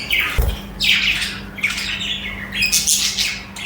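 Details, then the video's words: Several budgies (parakeets) chirping and chattering: bright, scratchy high chirps in quick bursts with short pauses, a single low thump near the start, and a faint steady low hum underneath. "Chirping Budgies in Action"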